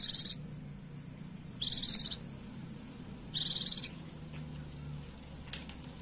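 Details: Female Oriental white-eye calling to a male with three high, rapid chattering bursts about one and a half seconds apart, then faint scattered chips.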